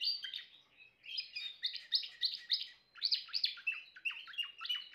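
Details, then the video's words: Timbrado canary singing in bursts of rapid, downward-sweeping notes, with brief pauses between runs, mixing bright high tones and rattling lower sounds. "chant canari timbrado"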